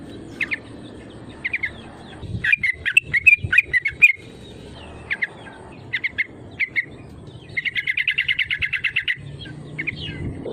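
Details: Yellow-vented bulbul call used to provoke rivals to sing; paired sharp chirps, a jumbled chattering phrase, more short note groups, then a rapid even rattle of about fifteen notes.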